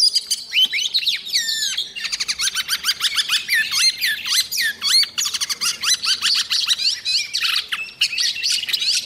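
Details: Oriental magpie-robin lure bird practising its song in the morning to get birds fired up: a continuous, dense stream of varied whistles, slurred sweeps and rapid chattering notes with hardly a pause.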